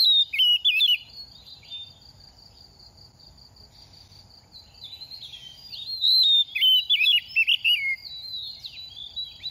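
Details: Moulting semi-mature oriental magpie-robin, past two moults, gives varied rapid whistles and chirps at the start and again later. A pulsing insect trill fills the gap between the bursts.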